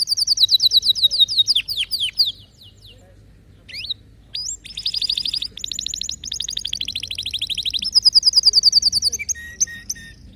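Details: Canary song made of rapid rolling trills and buzzy tours, a brief pause with single upslurred chirps, then more fast repeated trills in changing pitch, bright and high.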